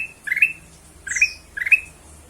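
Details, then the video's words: Kutilang emas, or ruby-throated bulbul, lure song to coax other birds to sing: three bright rising chirped phrases about half a second apart, one preceded by a thin high falling whistle. "kutilang emas suara pancingan"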